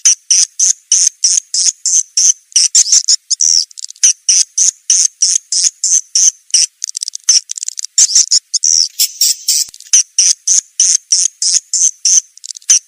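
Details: High, dry, buzzy chirps from swiftlets in a lure recording, repeated about three times per second in short bursts, with a brief tangle of overlapping twitters partway through.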